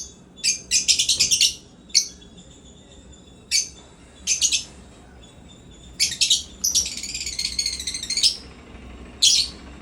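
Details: African lovebirds in a happy, playful mood chatter in sharp, high, buzzy chirps: short single notes broken by longer scratchy bursts, some lasting over a second.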